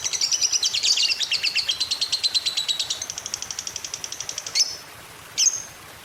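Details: Lovebird ngekek, the long chattering trill used as a prompt for other lovebirds; a rapid shrill trill slowly falling in pitch and fading, then two isolated sharp chirps after a short silence.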